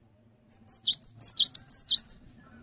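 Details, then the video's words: Cinereous tit in vigorous song meant to get other tits singing. Crisp three-part phrases: a short high piping note, a V-shaped chirp, then a lower falling note. Repeated about four times over a second and a half, with slight low background hum. "GELATIK BATU GACOR | Bikin Gelatik Lain Cepat Terangsang Untuk Ikutan Bunyi"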